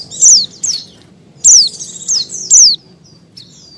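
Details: Calling female Oriental white-eye in breeding condition, luring males with quick high descending chirps in an uneven burst, then a pause broken by faint thin whistles.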